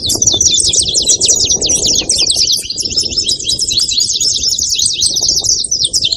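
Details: Saffron finches chattering loudly, their high chirps packed tightly and continuous, over a faint low rumble of background noise.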